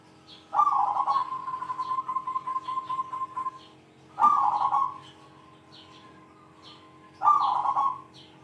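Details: Singing zebra dove with a loud 'kung' call aimed at rivals. A long rolling coo drawing out into a steady hum, then two shorter burbling phrases about three seconds apart.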